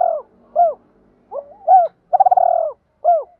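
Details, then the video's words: Spotted dove used as a decoy, calling to draw out and provoke rival males; mellow arched coos alternate with one long rattling, pulsed croon in the middle of the phrase, with clean quiet surroundings. "Tiếng chim cu gáy mồi gáy gọi bổi/ tiếng chim cu gáy thúc đấu giọng hay"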